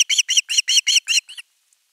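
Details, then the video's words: Nest-camera osprey calling long for fish, 10 August 2021: seven loud, clipped, upward-inflected whistles in even rhythm, the last one softer, then silence. "Myy huutaa pitkään kalaa"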